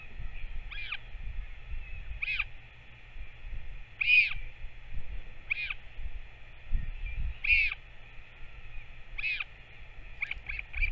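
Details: During a feeding visit by a Northern royal albatross parent to its chick on 21 May 2024, high arched calls repeat roughly every one and a half to two seconds, ending in quick short notes, over a steady hum.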